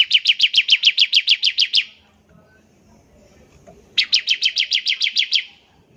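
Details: A singing bar-winged prinia delivers its ngebren trill, meant to get other prinias calling: two long, even runs of about a dozen clipped high chips each, separated by two seconds of near silence.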